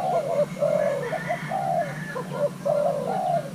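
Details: Thai-hybrid spotted dove, a young male during pairing, urged to call: rhythmic low coos alternating long falling notes with short paired notes, about three phrases in under four seconds, over a steady low hum.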